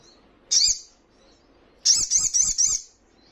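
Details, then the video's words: Crimson Sunbird training recording meant to make caged birds answer: one sharp high note, then a quick burst of five wavering buzzy notes. "Buktikan jika Sogonmu bermental Bagus..Dalam hitungan Detik,pasti langsung ikut Nyaut dan Ngleper"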